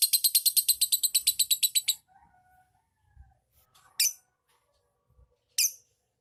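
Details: Lovebird lure song meant to make other birds trill: a two-second burst of quick, high, chattering notes, followed by near silence broken by two isolated sharp chirps.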